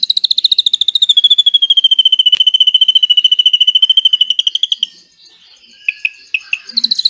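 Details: Drongo with cililin-style filling, used to train white-rumped shamas: a long extended trill of rapid pulsed notes easing downward for nearly five seconds, then a quiet gap and a few sharp chips.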